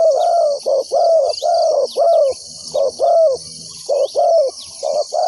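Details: Spotted dove; decoy coo; luring wild doves to a trap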